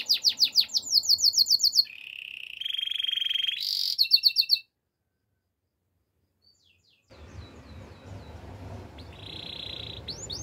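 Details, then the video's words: Spanish Timbrado canary song used for training: a fast run of sweeping notes, then buzzy and metallic trills. A pause of about two seconds follows, then faint notes and a soft trill over low background hiss. "Canaries spanish timbrado songs for training"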